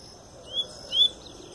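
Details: Two high upward-slurred whistles from a Double-collared seedeater, the second louder and longer, part of its pure Tui Tui song as the bird comes out of molt; quiet hiss behind.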